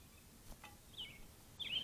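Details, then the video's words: A Blue jay at a bird bath on April 27, 2023 gives two brief, fairly high calls that slur downward, about three-quarters of a second apart, over a soft outdoor background hiss. "Blue jay"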